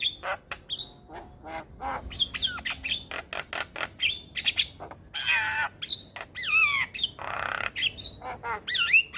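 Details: Javan myna song used as a training recording for other mynas: a varied run of sharp clicks, harsh squawks, broadband rasping bursts and rising and falling whistled notes, delivered rapidly and continuously.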